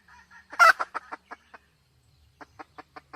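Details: Red junglefowl hen from 2023 giving soft clucks, one loud honking squawk, then a spaced series of short, low clucks roughly every fifth of a second.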